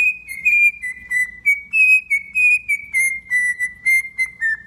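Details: Domesticated cockatiel singing by whistling: a steady series of pure, ringing notes, about two per second, wavering slightly and drifting gently downward in pitch.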